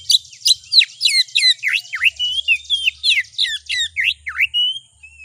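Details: Oriental magpie-robin song used as a lure to rouse another magpie-robin into singing: loud, rich, varied whistled phrases with sharp downslurred and rising notes, delivered in a rapid stream of about three notes per second.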